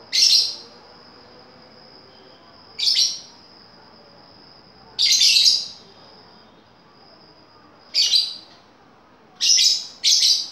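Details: Lovebird lure call meant to draw a reply: short, shrill, high chirp bursts repeated at irregular intervals of about two to three seconds over a faint steady whine.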